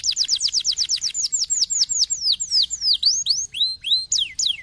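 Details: Canary singing to encourage a lazy canary to sing. Rapid rows of high, curved whistled notes slow into wider swooping slurs, some rising and others falling, repeated several times a second.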